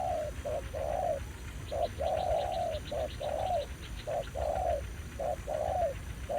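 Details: Territorial wild male spotted dove answering a decoy during trapping on an old site in Vietnam, calling aggressively: low hooting coos in short-long pairs, about one phrase a second, with faint rural background.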